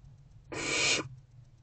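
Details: A lone rasping hiss, about half a second long and broad in pitch, comes from hungry barn owl owlets in a nest box at 6:00 pm on 3 March 2024 as they await their mother's return.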